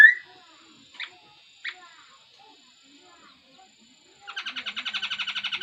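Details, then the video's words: Laughingthrush singing: a few sparse, sharp notes, then a loud, rapid, buzzy series of repeated notes in the final second and a half. "Tiếng chim khướu hót hay nhất"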